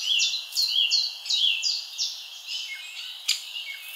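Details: Feeder birds in a summer garden: a loud run of sharp, high falling whistles close together, fading into softer chirps and a single sharp tick near the end.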